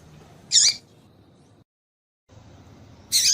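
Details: Single high chirp with a falling, hooked ending from a female Yellow-bellied Seedeater, used to rouse a male to sing; a short silent gap follows, then another loud chirp begins.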